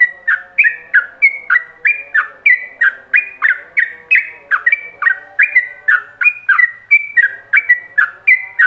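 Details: A yellow-vented bulbul sings ropelan style, rapid chattering master song meant for other bulbuls to learn: quick, liquid, rising and falling whistled notes in an unbroken stream, roughly three a second, with a soft low background drone.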